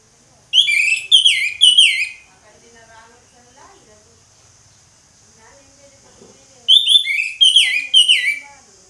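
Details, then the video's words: Orange-headed thrush giving ngeplong song in two bursts, each of three bright, falling whistled notes, separated by about four seconds of near-silence with faint background murmur. "ANIS MERAH NGEPLONG, SUARA ANIS MERAH NGEPLONG"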